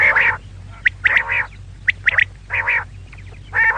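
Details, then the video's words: Female quail giving loud, nasal, quacking squawks, each about a quarter second long, mixed with clusters of quick, piercing chirps over a low background hum. "female quail call maadi batair ki awaz"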